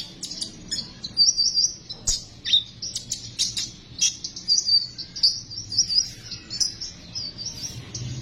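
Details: Sunbird singing in a recording used to provoke sunbirds into song: a long, rapid stream of high, bright chirps and sparkling trills, busy and unbroken throughout.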